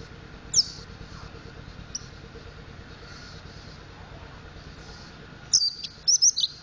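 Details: A mountain white-eye learning its song gives a few thin, very high chirps, then a quick burst of squeaky notes near the end, over a steady low hum.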